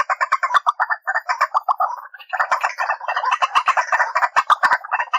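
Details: Lure call of the white-breasted waterhen, played to trap the birds: continuous fast chattering of harsh, clucking notes in overlapping bursts, densely packed throughout with no pause.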